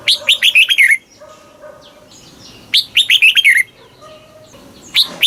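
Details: Caged red-whiskered bulbul from Thailand, a southern-style master song played to excite caged birds and teach young birds; bright warbled phrases of six to seven quick notes falling from high, two bursts about two seconds apart.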